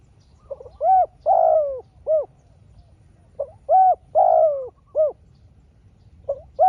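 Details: Spotted dove answering a rival wild dove during a long contest. Phrases of soft rounded coos repeat about every three seconds, each with a brief opening note, a longer sliding coo and a short closing coo.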